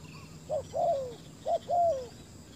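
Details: Spotted dove kept as a decoy on a ground clearing to lure fierce wild doves gives two clear coo phrases, each a short note followed by a longer drawn-out falling coo.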